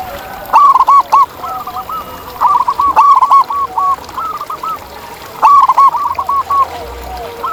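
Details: Wild local perkutut, or zebra dove, in full song: strong clipped coos strung into rhythmic phrases, then quieter coo sequences, repeating every few seconds over faint background doves.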